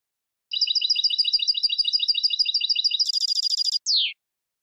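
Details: Goldfinch contest-training song: a long, even series of quick doubled high chirps, shifting into a buzzy trill and ending with a descending slurred note, on a clean silent background.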